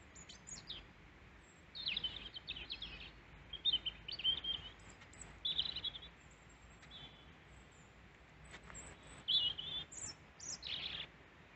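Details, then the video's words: European robin, wild and used to hand-feeding, singing near a person after taking seed in Peasholm Glen, Scarborough, UK; high, thin warbled phrases in short bursts separated by pauses, with faint higher notes between and quiet background. "Robin singing to me"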